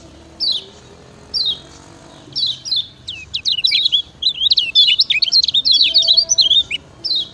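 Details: Master song of kecial kuning (Lemon-bellied White-eye) for getting lazy birds to sing: separate descending chirps repeated about once a second, then a dense, shrill, tumbling twitter, and a final single chirp.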